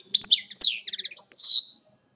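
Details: European goldfinch recorded in Agrinio, Greece, singing a quick, high, tinkling run of twittering notes and buzzy trills, with a brief stutter of clipped notes before a final rolling trill.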